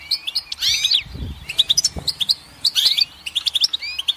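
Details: Short burst of goldfinch song: bright high chirps and liquid upslurred notes in quick clusters, broken by two soft low knocks.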